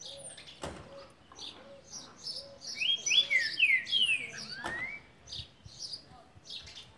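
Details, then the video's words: A green-winged saltator, trinca-ferro boi, sings a rich run of whistled, sliding notes amid other soft chirps and a repeated low background note, with a couple of sharp clicks. "Trinca ferro boi"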